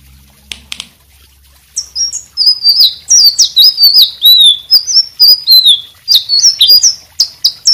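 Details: Lively white-rumped shama song meant as a tutor for other songbirds: after faint clicks, a long stream of sharp high whistles, slurred notes and rapid chips pours out, with a faint low hum beneath.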